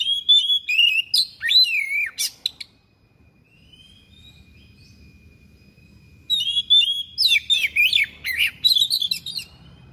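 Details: Thick-billed kacer (magpie-robin) in a sharp, insistent song packed with imitated fill-ins: bursts of loud, varied high whistles, swoops and clicking trills, a pause of several seconds, then another rich burst, with a faint steady tone beneath.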